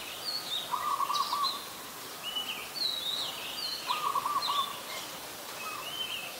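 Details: Lively high chirps and upslurred whistles from an adult Red-whiskered Bulbul, Ubon Ratchathani, Thailand, 16 December 2020, with two short low rattling trills from another bird beneath.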